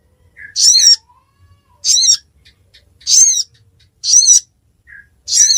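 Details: Ruby-cheeked sunbird from Pidie regency, Aceh, Indonesia, giving high, quavering notes repeated roughly every 1.2 seconds, five phrases in a row, each with a softer lower undertone, against a near-silent background.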